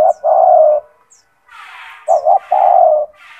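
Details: Constantly singing spotted dove with a loud voice, kept to serve as a tutor for other doves. A long low coo, then two quick coos and another drawn-out coo. Breathy noise and faint high chirps come in between.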